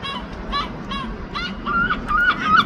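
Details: Seagulls in London giving a few short harmonic calls that bend up and down, one ending in a thin drawn-out whistle, over a low background rumble.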